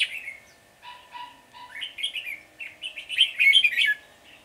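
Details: Red-whiskered Bulbul, the flock leader, scolding a caged decoy bulbul while being trapped on 10 February 2020; a few short whistled notes lead into quick, harsh chattering that grows louder and denser toward the end, about four notes per second.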